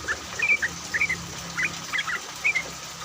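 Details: Yellow-vented bulbul used as a lure to make other bulbuls sing, recorded in rain; short bright chirping notes repeat about twice a second over a steady background hiss.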